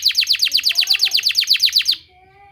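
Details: Training-therapy song of a canary: a steady trill of roughly fifteen evenly spaced downslurred high notes over faint lower tones, ending abruptly.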